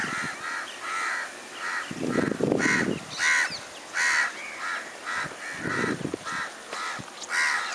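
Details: Plain Prinia (Prinia inornata) in Sri Lanka giving harsh, nasal buzzing notes, repeated irregularly about every half second, with a couple of low rumbling thumps in the background.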